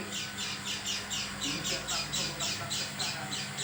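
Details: Oriental white-eye making an unusual sound, unlike its usual voice: a steady run of harsh, raspy, high notes, about four each second, with slightly uneven spacing and a faint low hum underneath.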